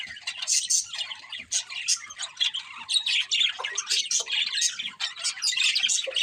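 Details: A budgerigar breeding pair chattering: fast, high, scratchy chirps and squeaky twitters in an unbroken rambling flow, with a few slightly lower harsh notes mixed in.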